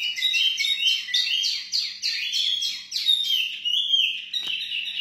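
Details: A pair of captive wambi songbirds, ready for breeding, give a rapid, high, twittering song of bright chirps and trills, running nearly continuously, with a single sharp click near the end.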